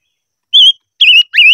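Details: Silver-eared mesia in voice training: three clear whistled notes, the first level, the second gently wavering, the third rising from a lower start.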